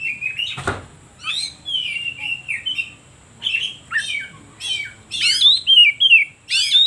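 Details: Oriental magpie-robin song intended to provoke other birds: a sharp click-like burst, whistled phrases and downward slurs separated by pauses, ending with loud high sweeping notes.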